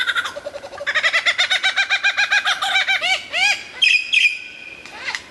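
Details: Vigorous lyrebird song: a fast series of about twenty even, rich notes hammered out in a steady rhythm, then several arched whistles and a few high, sharp bright calls.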